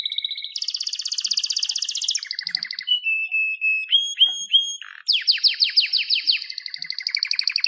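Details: Canary in full song: a long buzzy trill, a lower rattle, steady whistled notes with upward flicks, then a rapid series of falling slurs and a closing high trill.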